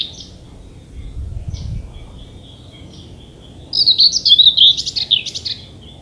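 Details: In Danish bushes in summer, a common whitethroat delivers a rapid scratchy warble of about one and a half seconds after faint earlier notes and some low rustling noise.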